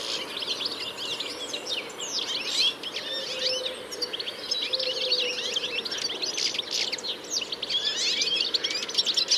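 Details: Wild flock of about sixty European goldfinches feeding among thistles in reeds at a field edge with willows and old orchard trees. Unbroken mass of high, liquid twitters and trills from many birds at once. Soft low hum in the background.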